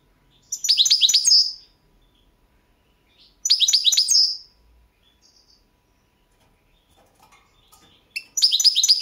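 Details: Competition recording of a Balkan goldfinch from the 2022 World Championship in Goldfinch Song: three rapid, liquid, twittering phrases of quick high notes, each about a second long, spaced roughly three seconds apart with quiet gaps.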